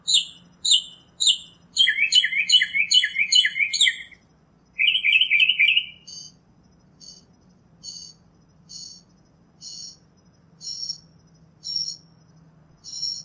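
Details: Singing northern mockingbird runs through several phrase types: quick doubled chirps, a rapid rattling series, a scratchy burst, then spaced, thin high notes repeated about once a second, with a faint low hum behind.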